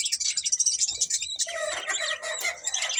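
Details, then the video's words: Chirping budgerigars: rapid high twittering in pulses, then a denser warbling chatter from several birds in the second half. "Cute Budgies Chirping Sounds"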